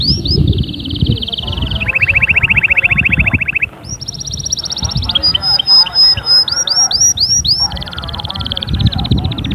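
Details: Canary song of varied tours: a high trill dropping to a lower rolling trill, a pause, then buzzy high notes, quick sweeping whistles and another fast trill; low noise beneath.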